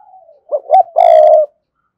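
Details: Spotted dove cooing to call a rival wild bird: a soft low slide, then a short rising coo and a long, loud, steady purring coo, all low and mellow, in quiet surroundings.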